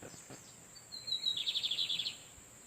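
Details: Lined Seedeater males trading song in the wild, heard behind a female incubating on her nest: a thin, high drawn-out whistle, then a quick run of about ten sharp, buzzy notes in under a second, over a steady high hiss.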